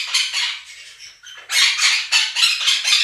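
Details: Two pet Quaker parrots out-shouting a played recording of chirping budgerigars: rapid harsh squawks, about four per second, fading briefly before a louder run of grating screams.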